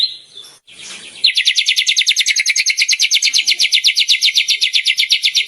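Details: White-rumped shama in full song, pouring out its rich repertoire of borrowed phrases: after a brief scratchy start, a fast, even series of bright, high chipping notes repeats about four times a second, steady to the end.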